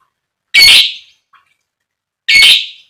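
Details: Lovebird call meant to provoke other lovebirds into long chattering song: two loud harsh rasping squawks about two seconds apart, with a tiny chirp between them and silence otherwise.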